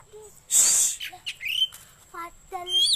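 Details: Kacer song offered for bird luring, home tutoring and song contests: a loud harsh hissing burst followed by short upslurred whistles and low clipped notes, with a faint steady high tone throughout.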